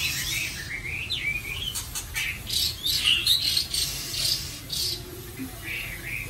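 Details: White-rumped shama kept in captivity at a home in Vietnam, singing a gentle, melodious song: clear whistled notes sliding upward, mixed with sharp broadband ticks and clicks, in a quiet indoor setting with a faint low hum.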